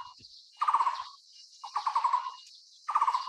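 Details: A Taiwan barbet, Psilopogon nuchalis, gives three low, knocking trills of quick pulses, each under a second long. A steady high hiss runs underneath.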